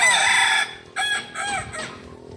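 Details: Kukuak Balenggek chicken, a native ornamental breed of Solok, West Sumatra, crowing at a practice contest: a loud rasping note ending abruptly, followed by three quieter, shorter arched syllables spaced about half a second apart.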